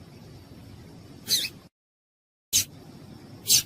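A female seedeater gives three short, high, buzzy chips about a second apart, over faint low background hiss.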